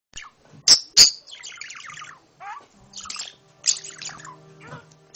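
A budgerigar chatters in quick, scratchy warbles broken by sharp clicks and squeaky notes.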